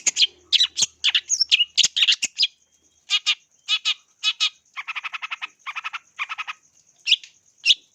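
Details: Long-tailed shrike in full song, used as a lure for training birds. Harsh scratchy notes at first, then buzzy rattling trills in short repeated bursts. A faint steady high hum runs throughout.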